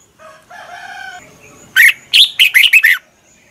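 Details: Red-whiskered bulbul singing a decoy song for training captive birds: a faint drawn-out harmonic call at first, then a loud run of six quick, bubbly, slurred notes.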